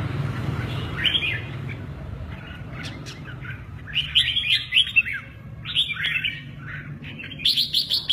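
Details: Red-whiskered bulbul singing in the 'mơ ché nẹt' style while showing off its wings; short bursts of warbled, slurred whistles at about one, four, six and seven-and-a-half seconds over a low background hum.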